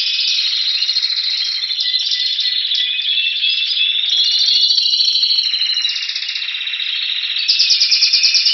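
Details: Spanish Timbrado canary in Anavissos, Athens, Greece, February 2016, singing as it waits for spring: unbroken rolling trills and rattling metallic phrases, shifting between smooth bell-like rolls and faster clicking repeats near the end.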